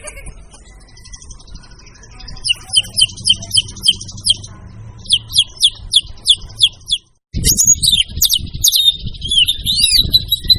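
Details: White-rumped shama sings a string of crisp, evenly repeated high notes over low background hum; after a short break, a louder, busier phrase of sweeping whistles and chatter.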